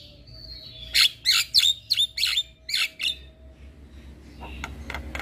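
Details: Javan myna singing a lure recording full of fill notes: six loud, harsh, broadband chattering bursts about every third of a second, then softer scattered high notes over a low steady hum.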